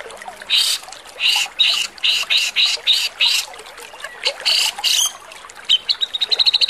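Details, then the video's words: Javan Grey-cheeked Bulbul giving harsh song used as tutor audio for songbirds: about a dozen harsh, rasping high notes, evenly paced, ending in a quick chattering run of short notes. "SUARA MASTERAN BURUNG KASAR|| CUCAK JENGGOT JAWA"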